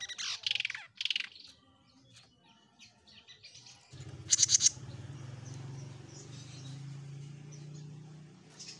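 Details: Jenggot Mini bird singing actively (gacor): bursts of sharp, high chirps, a short run of notes near the start, a loud rattling burst midway, scattered faint chirps, and a steady low hum through the second half.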